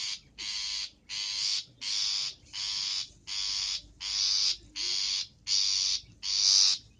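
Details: Long-tailed shrike call used to lure birds: loud, harsh rasping notes, each about half a second long, repeated steadily about every 0.7 seconds, ten in all.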